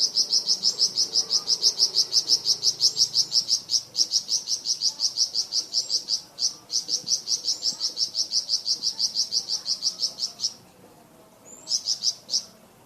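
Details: Flamboyan songbird in varied song used to tutor cucak ijo and magpie robins: a long, fast, even chain of high chipping notes lasting about ten seconds, a short pause, then a brief closing burst.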